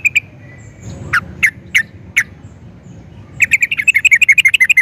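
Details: Sooty-headed bulbul (trucukan) used as a lure for other bulbuls. A few widely spaced sharp notes lead into an accelerating, continuous chattering trill.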